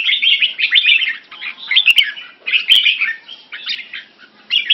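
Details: Caged Singapore-style Red-whiskered bulbul in French molt, competing in song with another bulbul and more birds. Rapid, rich warbling phrases arrive in short bursts separated by brief pauses, with a couple of sharp clicks.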